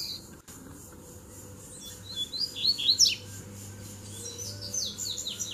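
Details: Double-collared seedeater (coleiro) duel, with three birds arriving to fight at once. After a quiet start, a loud cluster of sharp, slurred high notes comes, followed by a softer trailing twitter and a faint low hum.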